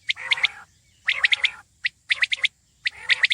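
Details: Common quail giving crisp three-note calls, each a quick run of sharp high pulses, repeated roughly once a second, with rougher lower chattering under the first two phrases.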